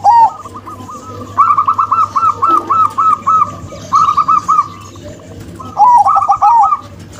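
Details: Zebra doves, a local female and a crossbred male: a rising opening coo, then a steady run of rapid bouncy coos, a shorter burst, and a final phrase with lower warbled notes overlapping.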